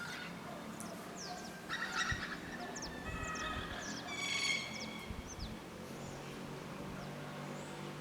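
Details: A pair of Orange-winged amazons gives harsh, grating squawks in short bursts, loudest around the middle, over a steady low rumble of town traffic. They were recorded on a Sunday two blocks from downtown Tarapoto, San Martín, Peru.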